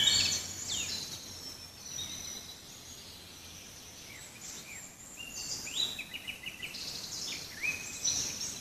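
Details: Forest birdsong at a distance: scattered high chirps and brief sliding whistles come in loose bursts, with a quieter stretch in the middle and a livelier run of quick notes near the end, over a soft background hiss.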